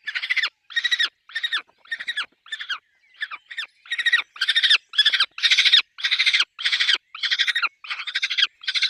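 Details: Peregrine falcon at a nest with chicks: harsh, grating, buzzy calls in rapid bursts of short pulses, about two bursts a second, steady and loud throughout with brief gaps between them.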